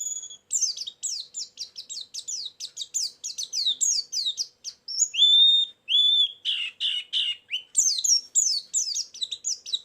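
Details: Lure and filler song of a white-eye for attracting birds: a rapid, continuous stream of high, sharp twittering notes, broken midway by a few clear whistled phrases and a buzzy, rattling burst before fast chirping resumes.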